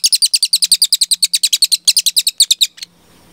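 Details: Velvet-fronted nuthatch (cililin) singing vigorously in a long-burst style used as tutor material for songbirds: a rapid run of very high, sharp chips, about seven per second, briefly breaking then resuming before stopping abruptly.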